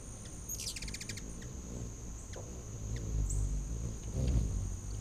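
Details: At a back-deck feeder in late August 2019, feeding hummingbirds give a rapid rattling run of high chips near the start, with scattered single chips and a steady low wing drone throughout.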